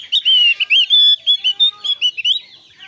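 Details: Javan grey-throated white-eye song, used to lure other birds of its kind into singing: a fast, high, chattering run of sweet whistled notes and slurs, tumbling up and down in quick bursts for nearly three seconds.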